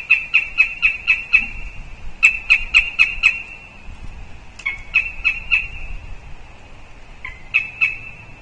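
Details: Northern goshawk at its nest tree in Riga, Latvia, on 20 October, when the female visited the nest tree. It gives loud, sharp, nasal kek notes in rapid bursts of four to six, with short gaps between the series.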